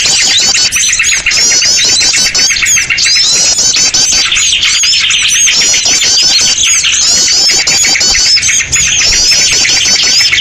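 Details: Noisy lure recording meant to draw birds together: a dense, continuous chorus of many small birds chattering and twittering at high pitch without pause, loud throughout.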